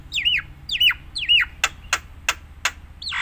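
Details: Nias hill myna whistling for training other mynas: three loud rising-then-falling whistles about half a second apart, followed by four sharp clicks and a final swooping whistle.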